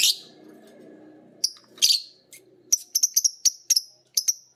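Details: Two pet lovebirds, a green violet type and a pied, learning long chattering from hearing their tutor bird, giving high sharp chirps in quick clusters, with a soft low rattle in the background.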